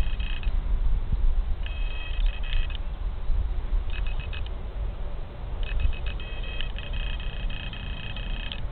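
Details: Spotted crake (Porzana porzana) at Lier giving clipped, high tonal notes in short bursts of a second or so, repeated through the clip over a heavy low rumble of wind or distant traffic.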